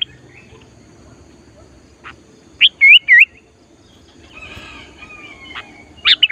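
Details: Lure sooty-headed bulbul in full song during trapping practice for wild bulbuls. Sharp note, then a looping phrase of fluty rising-and-falling whistles, a quiet stretch with a faint thin note, and a final brief burst.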